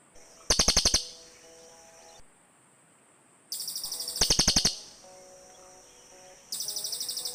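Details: Cililin birds calling back and forth to each other, used as a lure sound for birds in the forest: loud, fast pulsed high trills in bursts of about half a second, repeated several times, over faint steady lower tones.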